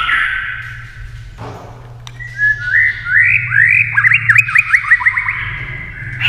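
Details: White-rumped shama singing against a TV. A steady whistled tone leads into rising slurred notes, then a rapid run of short, evenly repeated chirps, over a low background hum.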